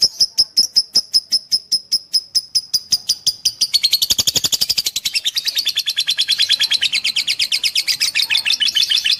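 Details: Lovebird of fighter type singing gacor, used as a training master: rapid, evenly pulsed high chips that quicken into a continuous harsh, buzzing chatter, loud and unbroken throughout.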